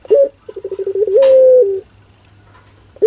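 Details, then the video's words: Single 'pelung' coo phrase from a Barbary dove: a clipped first note, about ten fast pulsing beats, then a smooth held tone lasting under a second before stopping. "Suara LUCU PUTER Pelung"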